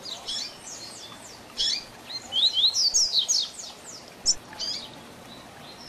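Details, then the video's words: Tui Tui Zel Zel song of a double-collared seedeater for tutoring young birds. Scattered high notes build into a loud run of quick swept whistles, then a single sharp note and softer strokes. "Tui Tui Zel Zel Diferenciado Encarte seu Coleiro ou Papa capim - Coleiro Professor Aprendizado"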